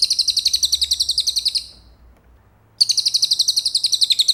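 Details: Cililin singing as training material for a competition white-rumped shama: rapid, rhythmic bursts of high piercing chirps, about ten notes per second, in two phrases separated by a short pause.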